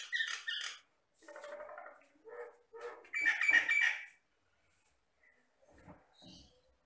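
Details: Jalak batam myna delivering rough, scratchy phrases with squeaky notes and a loud buzzy burst, then trailing off into quiet, scattered sounds.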